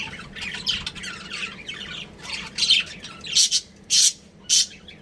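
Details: Chirping from a pet budgerigar breeding pair indoors: warbled chattering phrases followed by three loud, harsh squawks spaced about half a second apart.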